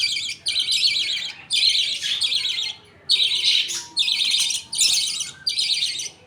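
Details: Captive budgerigars feeding: the father budgie feeds two young on millet paste while the mother watches. Grating buzzy calls arrive in blocks of about half a second, some longer, with clear pauses between them.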